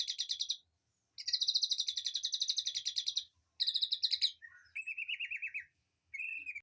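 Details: Aviary birdsong used as tutor material for a white-rumped shama: bursts of rapid, evenly repeated high chirps forming buzzy trills, broken by short pauses, then lower warbled phrases with quick wavering notes.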